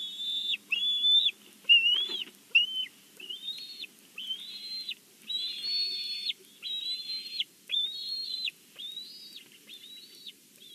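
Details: Bald eagles at a live-camera nest at Big Bear: a long series of high, squeaky whistled notes, each slightly rising then dropping, given about once a second with short gaps, loud and clear over a faint low rumble.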